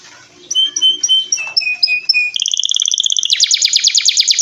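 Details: Canary in full song: clear high whistled notes stepping downward, then a fast buzzy trill that speeds up into a loud rattling roll.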